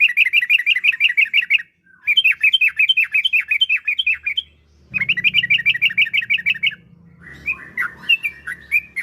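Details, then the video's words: Caged yellow-vented bulbul song to make other bulbuls answer: long fast runs of repeated bubbling whistled notes, ending with more spaced slurred notes over a low hum. "Trucukan Gacor Ampuh untuk Pancingan Trucuk Biar Cepat Bunyi"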